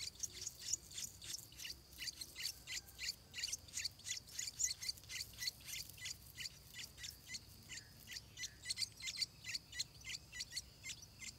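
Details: Stripe-throated bulbul chicks shortly before their first flight: short, sharp, high chirps repeated about three times a second for the whole stretch, over a steady high insect-like drone.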